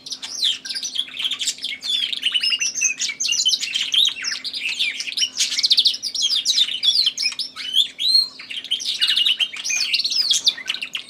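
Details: Canary, lately bought, singing in contest with a tui in the background; long unbroken run of buzzy trills, chips and rising-falling whistles over a constant low hum.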